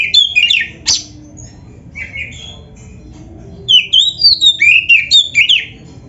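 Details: Caged oriental magpie-robin singing 'gacor full isian' on a training recording. An opening burst of whistles and one harsh note lead into a pause, then a quick series of bright rising and falling whistled notes.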